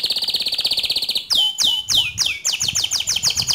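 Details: Canary song in the 'ngerol nembak' style, used to provoke another canary into singing: a rapid, even, high rolling trill, then four loud downward-sweeping whistled notes and a fast run of repeated sweeps.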